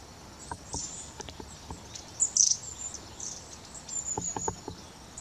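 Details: Long-tailed tits recorded on 10 November 2018: very high, thin, sibilant call notes in short scattered bursts, with soft clicks and rustling beneath.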